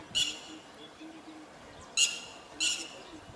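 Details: An Asian pied starling (pied myna) at its nest gives three harsh, wheezy calls, each about a quarter-second long, spaced over three seconds, with faint background hiss.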